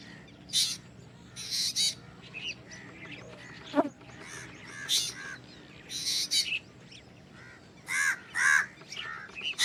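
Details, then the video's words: Black drongo strange call made of repeated rasping, buzzy bursts with ringing overtones, joined by several short chirps and a single sharp click near four seconds. "Black drongo Strange Call / Sound"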